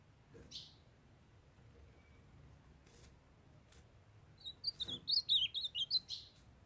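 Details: In Brazil, a young captive male ultramarine grosbeak, stirred by a calling female, delivers a fast warbled phrase of rising and falling high whistles near the end after quiet moments with a few taps.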